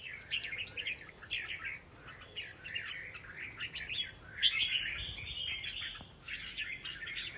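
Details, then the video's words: Three red-whiskered bulbuls placed together in competition, pouring out dense, overlapping warbled and chirping phrases at a mid-high pitch, nearly continuous with a louder burst about halfway through, over a faint low hum. "lên giàn bộ 3 chào mào đấu đá quá ok"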